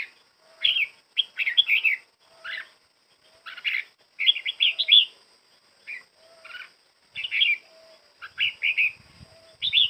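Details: Red-whiskered bulbul, moult nearly finished, practising its song: short bubbly warbled phrases of rising and falling whistled notes, given in bursts with brief pauses, over a faint steady high whine and soft low tones.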